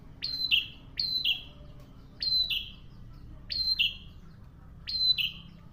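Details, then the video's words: Actively singing prinia giving five rapid two-part phrases, each a sharp high note sliding into a short buzzy lower note. Spaced about a second apart against a quiet background. "Syahduu prenjak gacor"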